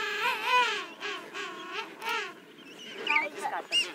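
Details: King penguins in the large colony at Volunteer Point, Falkland Islands, trumpet with wavering, warbling nasal calls from several birds overlapping across four seconds.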